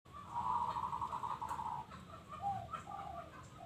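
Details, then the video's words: Local zebra dove cooing: a long, rolling, slightly throbbing coo lasting over a second, followed by shorter soft coo notes, over steady low background hum. "Bunyi Perkutut Lokal"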